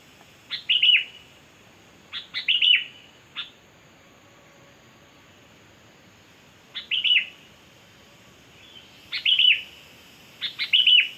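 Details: Kutilang, the sooty-headed bulbul, in lively lure song: brief bursts of sharp clicks, each followed by a quick warbling whistle, come in clusters separated by long quiet gaps over about eleven seconds.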